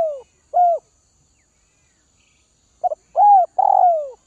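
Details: Spotted dove of Northwest Vietnam, tamed by feeding, cooing two separate falling notes, then after a pause a rapid double note, a rounded coo and a long descending croo.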